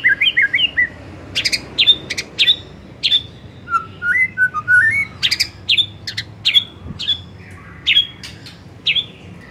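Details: Afternoon lure recording of white-rumped shama song: looping whistles, then sharp chips repeated about every half second, interrupted by a brief series of low wavering whistled notes.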